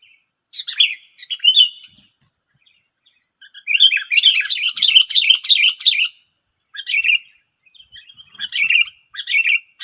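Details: Sooty-headed bulbuls, nine wild birds responding to one decoy, West Lampung, Indonesia; noisy clustered chirps and chattering phrases come in bursts with a dense tangle of overlapping calls in the middle, a constant thin high tone behind.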